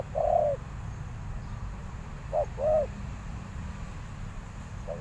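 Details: Spotted dove used as a decoy to call in wild doves: a few scattered hooting coos, one longer falling note followed by a short note and another arched coo, over a steady low rumble.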